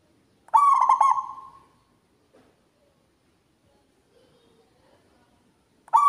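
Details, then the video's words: Local zebra dove with a loud, big voice: one rolling, stuttered cooing phrase that trails into a long tone, then near silence, and the start of another phrase at the very end. "PERKUTUT LOKAL GACOR, SUARA BESAR NYARING SAMPAI KEMANA2"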